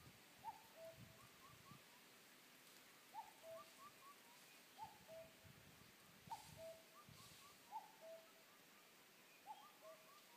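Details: A cuckoo singing in the woods, a soft, falling two-note 'cu-coo' about six times, every one to three seconds, over faint steady hiss and occasional rustling.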